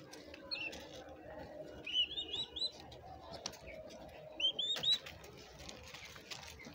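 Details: Turkey poults, young chicks, calling in two quick bursts of clear high whistled peeps, each note sliding upward, three or four notes per burst, with soft rustling and low background noise between.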